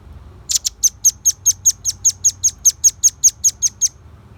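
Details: Velvet-fronted nuthatch in loud, clear song, used as a lure and tutor recording: a long, even series of about seventeen piercing, very high chip notes, repeated roughly two and a half times per second, over a quiet background.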